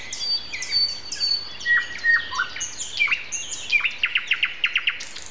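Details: Morning song of a common nightingale on April 29 at 7:55, with other birds around: varied whistled phrases, then a fast run of sharp repeated notes about five per second.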